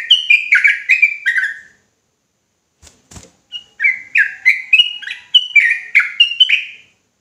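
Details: Sooty-headed bulbul in rapid, agitated full song: a run of slurred, fluty notes dropping in pitch, a short pause with faint clicks, then another fast burst of bright, repeated warbled notes.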